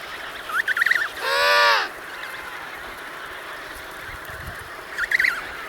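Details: A single adult emperor penguin gives a loud, trumpet-like blare lasting about half a second in a noisy colony. It is framed by short, wavering, higher chirps and a steady windy hiss.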